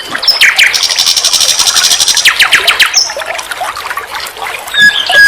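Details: Common nightingale, called sikatan londo locally, singing on a training recording for songbirds: rapid buzzy rattle held steady for over a second, then quick descending strokes, sharp whistled notes and brief high slurs.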